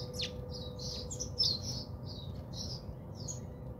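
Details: Rapid, high chirps run almost continuously from house sparrows bathing at a South African home, over a faint droning hum.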